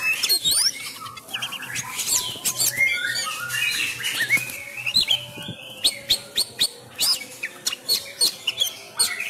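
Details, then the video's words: Sumatran Oriental magpie-robin in fighting-style song, a kept bird training at home during the pandemic: fast varied chattering and whistled notes, then rapid clicking bursts repeated in quick succession. "Gaya tarung Kacer kacer sumatra"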